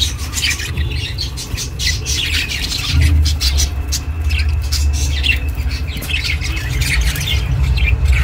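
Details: Budgie chirping, recorded to comfort budgies living alone; scattered high chirps and chattering notes over a strong, steady low rumble.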